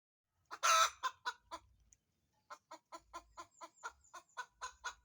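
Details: Chicken about to lay an egg, busy searching for a place to lay: one loud harsh squawk, then short clucks repeated about four times a second in an even series.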